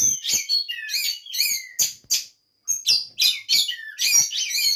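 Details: Oriental magpie-robin in a breeding facility in Banjarnegara, Central Java: loud, rapid bursts of varied whistled and twittering phrases, separated by short gaps, including one clear silent pause midway.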